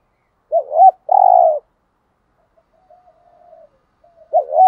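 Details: Spotted dove kept as a lure bird, bought in Dak Lak, Vietnam: a rising-falling double coo and a long buzzy hoot, then faint far cooing, then the double coo starts again.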